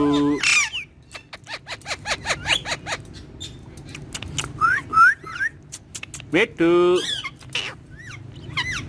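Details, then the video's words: Green ringneck talking parakeet, a pet, giving a lively run of clicks, squawks, swooping whistles and word-like phrases in quick succession, with a rising stepped sound near the end and faint background noise. "Green Ringneck Talking Parrot"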